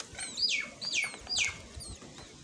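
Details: Myna mother bringing more food and feeding her small chick: three loud, harsh calls sliding steeply downward, each about half a second long and spaced by brief pauses, with thin high chirps above them.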